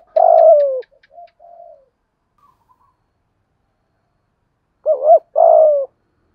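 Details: Spotted dove cooing to prompt a silent caged bird. A long falling coo comes first, with faint clicks, then soft quiet notes. After a pause there is a double coo and another long descending coo.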